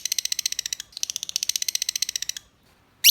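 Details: Lovebird giving the ngetik, or typing, call, used to prompt other lovebirds to call and come into breeding condition: rapid dry clicks about thirteen per second in two long runs, then a pause and a sudden harsh squawk.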